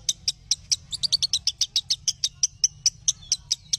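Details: Lovebird calling on training audio for other lovebirds: sharp, high chirps delivered irregularly, about two or three a second, over a steady low hum.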